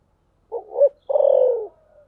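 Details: A spotted dove coos in the "thổ sấm" voice style. A short rough note and a swelling second note are followed, after a brief pause, by one long rolling coo that falls slightly in pitch.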